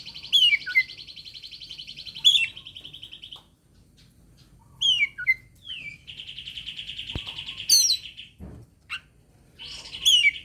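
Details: Oriental magpie-robin (kacer) singing a challenge to a rival, used to prompt lazy birds to sing: long harsh buzzy trills broken by sharp, high, downslurred whistles, in bursts of two to three seconds with short pauses.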